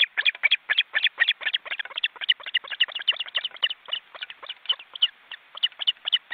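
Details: Osprey chicks, nearly fledged, in a cramped nest on a live webcam in an Estonian forest reserve, flapping their wings. Sharp, high chirping calls follow each other rapidly and unevenly, several per second, throughout.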